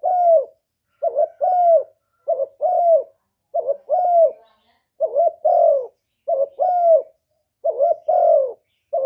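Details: Spotted dove urgent cooing, intended to stimulate male doves: a steady run of about seven two-note coos, roughly one per second, each a quick rising note followed by a longer falling one, in a quiet setting.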